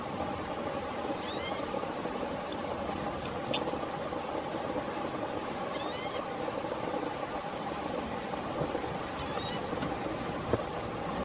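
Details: Preening green-tailed towhee in Blackwood Canyon, Placer County, California, late August 2017, giving brief thin mew calls at irregular intervals, three in this stretch, partly masked by continuous rushing background noise.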